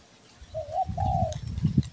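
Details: Spotted dove of the Kepri belah dada type, calling for luring: a wavering coo then a long level one, partly covered by low rumbling and knocking noise.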